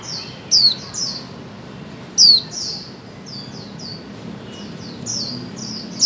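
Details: Female white-eye call used to coax mute birds into singing. Bright, high falling notes ring out three times, linked by a continuous chatter of fainter high down-slurred chirps.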